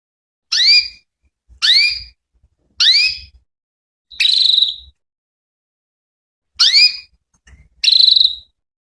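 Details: Female canary voice used to provoke male canaries into answering: three quick rising harmonic calls, a buzzy trilled note, a pause, then another rising call and a closing buzz.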